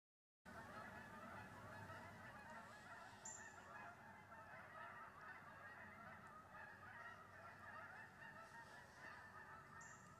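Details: A flock of geese honk steadily while landing in a wheat pasture on an October 25th morning, heard from a deer stand: a dense, continuous chorus of overlapping nasal honks with no pauses, and faint wind noise beneath.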